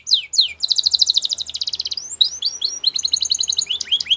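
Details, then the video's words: Belgian canary, a champion singer for training young birds, opens with two steep down-slurs, then a long rapid buzzing roll, followed by swooping whistles and another short trill. "Canary Singing Champion For Training | Belgian Canary Song"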